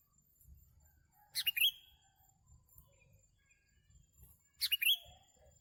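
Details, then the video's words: Sooty-headed bulbul heard during bird trapping: two short bursts of squeaky, descending chirps about three seconds apart, over low handling noises. "MIKAT BURUNG KUTILANG SERU.."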